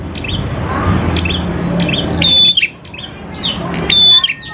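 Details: Prinia lure song (prenjak klawu), used to get prinias singing fast: soft chirps at first, then two loud phrases, each with a sharp flat whistle, over steady low hum.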